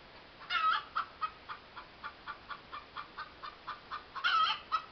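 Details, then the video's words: A hen in a yard gives loud, clucking cackles: short, evenly spaced pulses roughly every quarter second, with louder drawn-out squawks near the start and again near the end. "cluttering hen"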